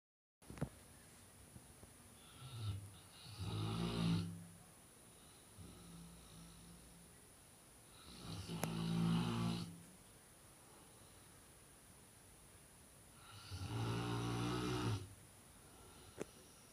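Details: A Fila Brasileiro named Spike snores loudly and deeply, each rumbling, rasping breath returning about every five seconds.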